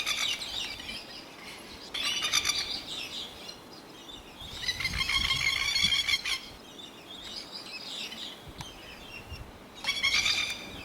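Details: Lapwing adults and young around a neighbourhood call in loud, rapid, ringing bursts of strident notes, in four or five separate outbursts with quieter gaps of hiss between them.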